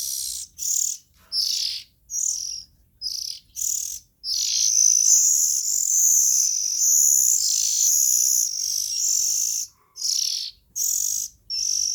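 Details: Nestling Oriental magpie-robins: short hissing high bursts repeated rapidly, then a long continuous harsh wheezing call lasting about five seconds, followed by more brief bursts.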